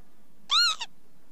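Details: Northern lapwing uttering a short arched wheezy note followed quickly by a brief second fragment. Both are rich in harmonics over a quiet background.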